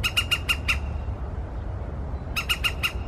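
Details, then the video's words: Woodpecker in the morning: a quick series of five sharp, harsh squawking notes, a pause, then four more, over a steady low background rumble. "Dzięcioł - poranna aria"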